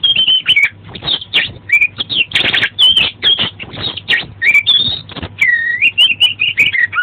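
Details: Oriental magpie-robin (kacer) delivering loud, lively tutor song packed with fill-in phrases: continuous whistled trills, harsh broadband rasps and a long looping whistle, with a faint low hum beneath.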